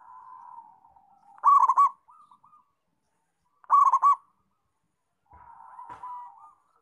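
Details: Singing local zebra dove gives two loud, staccato cooing phrases a couple of seconds apart, while fainter, drawn-out coos from other doves sound before and after.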